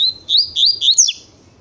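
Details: Double-collared seedeater singing the Tui Tui song style: a high, sweet phrase that opens with a level whistle, then runs into quick rising and falling slurred notes, ending in a sharp downward flick after about one second.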